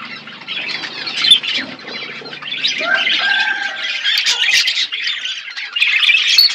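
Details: Budgerigars eating seeds in an outdoor aviary, a mix of squawks and twittering with a few clearer whistled notes near the middle, the chatter growing busier toward the end.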